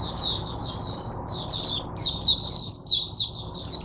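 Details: Oriental white-eye used as a teacher bird for other white-eyes, recorded 22 January 2022: spaced high chirps that quicken into a rapid twittering phrase.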